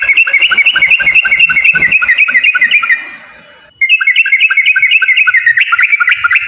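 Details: Bulbul lure song in the rapid 'ropel panjang' style: dense, steady chattering whistles about four per second, broken by a short fading gap and then resumed.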